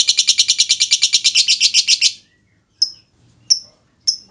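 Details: Lovebird lure song for other lovebirds: a rapid high chattering trill for two seconds, then silence broken by three separate sharp clicking chips.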